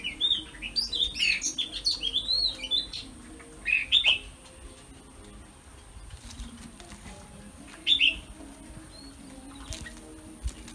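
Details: A female Oriental magpie-robin sings freely near a flock of kept birds before being trapped. She gives a quick burst of varied whistled notes, then brief clear phrases at about four and eight seconds, over a faint background hum.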